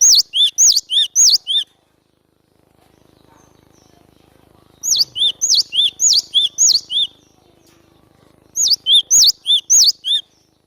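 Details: Cinereous tit song for luring birds into traps: three bursts of fast, loud paired whistles, a high swoop then a lower note, each burst lasting a couple of seconds, with quiet gaps between.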